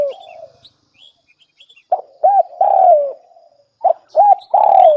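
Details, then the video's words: Lure call of a spotted dove: a trailing soft coo, then two phrases each of a short double coo and a long arched falling coo, with faint high chirps of other birds. "Tiếng chim cu gáy mồi chuẩn đỉnh nhất"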